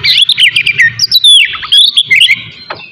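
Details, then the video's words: Oriental magpie-robin morning song to provoke aggression and breeding urge in other birds; dense tumbling whistles and chirps sweeping up and down, over a low background hum. "TERAPI PAGI COCOK BUAT MANCING EMOSI DAN BIRAHI KACER SUPAYA CEPAT GACOR DAN BUKOR"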